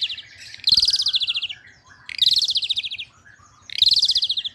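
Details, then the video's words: A jalak suren, or Asian pied starling, in full song gives three loud, rasping phrases of rapid pulsed notes about every one and a half seconds. Softer warbling fills the gaps. "jalak suren gacor"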